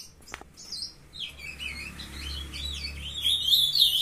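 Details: Young captive ultramarine grosbeaks, a brood raised by a breeder, with a brown juvenile starting to sing on 23 June 2020 at 7:21 a.m.; quiet opening, then twittering warbles around the upper-middle range that grow louder toward the end.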